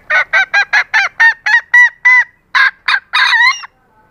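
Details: Female green junglefowl calling to arouse and lure males, recorded as a lure for baiting cock birds: a rapid run of about a dozen short, nasal, harmonic honking notes, the final few longer with a rising, bending inflection.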